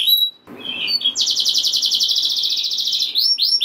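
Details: Canary singing to stir other canaries: a few short chirps, then a long fast even trill, ending in swooping whistled notes.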